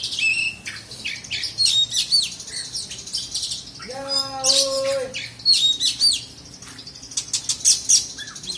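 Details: Oriental magpie-robin (kacer), black-and-white type, singing at a bird contest in South Aceh, Indonesia: bright high whistles, quick upslurred and downslurred notes and clipped chips in bursts, with a brief lower harmonic tone midway.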